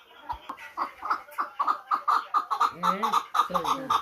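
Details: Chukar partridge from Muminobod, kept for hunting, giving a run of short clucking notes repeated about twice a second, with a man talking over part of the sequence.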